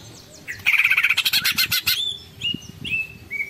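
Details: Greater green leafbird, ngekek tengkek style: a dense, rapid buzzing chatter for over a second, then a few clear slurred whistles spaced evenly, with faint low knocks beneath.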